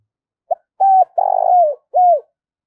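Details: Spotted dove decoy calling to draw in rivals. A single cooing phrase: a brief opening note, a level hooted tone, a long buzzy vibrating coo, then a final falling coo.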